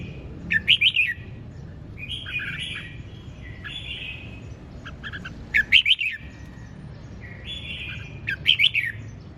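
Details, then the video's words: Red-whiskered bulbul in ché chẻ style song: three loud bursts of sharp, rising chirped notes about every four seconds, separated by gentler warbling whistles, over a constant low hum. "Hót Cực Sung ( Ché Chẻ Cực Đỉnh)"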